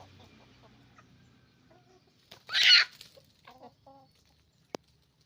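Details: Roosters and hens on a chicken farm making noise: one loud, harsh squawk burst near the middle, followed by a few soft, short clucks and a sharp click near the end.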